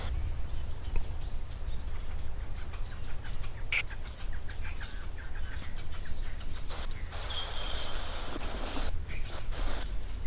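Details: A woodland kingfisher at a Lowveld waterhole on 20 January 2026, on an overcast day with little sun, gives a high, sustained trill of about two seconds among scattered chirps from other birds, over a steady low rumble of wind.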